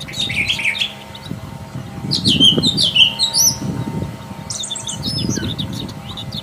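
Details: Active song of a wild Brown Thrasher, varied phrases in bursts: buzzy falling notes, then a rich cluster of sharp chirps, a pause and another high jumble, with steady low background rumble.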